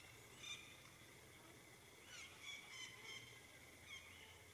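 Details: Magellanic woodpecker near San Juan, south of Punta Arenas, Chile, giving faint, nasal, squawky notes, singly and in a quick cluster of four, over a steady high hum and soft background noise.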